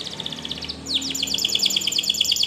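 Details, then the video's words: Spanish Timbrado canary song meant to train other canaries to sing: soft rapid chatter, then a loud series of quick, sharply descending high notes repeated several times a second, with light background hiss. "SPANISH TIMBRADO Canaries Invites All Canaries to Sing!! Canary training"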